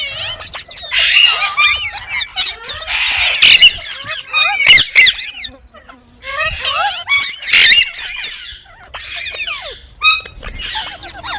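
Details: Bursts of shrill, high-pitched chirping and squealing from a green parrot, dense flurries separated by brief quiet gaps, some notes sharp and clicking.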